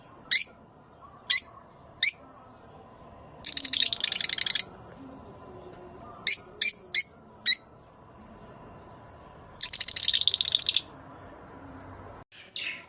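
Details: Rosy-faced and Fischer's lovebirds giving a mating call for breeding stimulation: isolated shrill chirps alternating with two longer, buzzy, rapid chattering bursts of about a second each.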